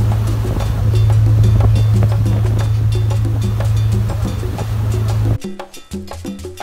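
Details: Loud music with a steady low rumbling beat for over five seconds, then an abrupt cut to quieter, sparse low tones, with no animal voice heard.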